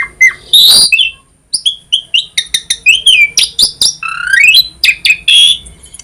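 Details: Asian pied starling singing hard in a varied full-song style used to lure other starlings: a harsh screech, a short pause, then a rhythmic series of sharp chirps and slurred whistles, with one long rising note.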